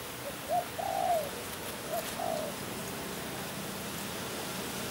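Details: Spotted dove giving two low, mellow coo phrases about a second apart. Each has a short lead note and a longer drawn-out hoot, the second phrase softer, against a light hissing background.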